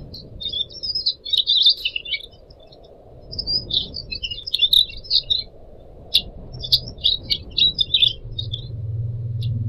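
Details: Pied Triller in captivity, recorded as a model song for other birds, trickling water added: long bursts of rapid high chirping and twittering phrases separated by short pauses, low rumble near the end.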